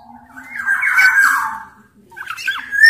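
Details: Large-bodied black-naped oriole from Sumbawa: a drawn-out nasal, scratchy squawk that swells and fades, then brief harsh notes ending in a thin high whistle, played as lure sound for orioles.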